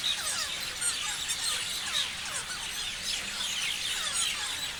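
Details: A crowd of parrots chirps at once, producing a busy, unbroken stream of high, twittering squeaks and quick downward-sliding notes.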